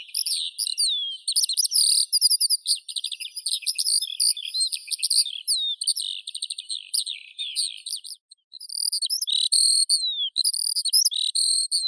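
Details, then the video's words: Eurasian skylark singing a continuous, rapid stream of high warbled trills, chirps and slurred whistles, the flow broken only by a brief pause before resuming just as densely. "Skylark Birdsong"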